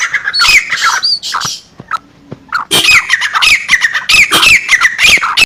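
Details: Black francolin female voice meant to excite males: harsh grating phrases with whistled slurred notes, a short pause near the middle, then rapid repeated phrases resume strongly.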